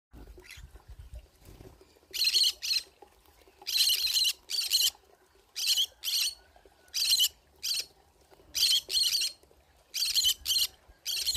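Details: Pineapple conure found in a forest, giving harsh, grating squawks, mostly in pairs or threes, about fifteen in all after a quiet first two seconds; faint rural background.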